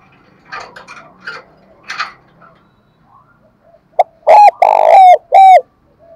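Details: Spotted dove calls used to set off captive doves: some scratchy rustling and faint noises first, then a clipped note followed by three loud, deep, drawn-out coos.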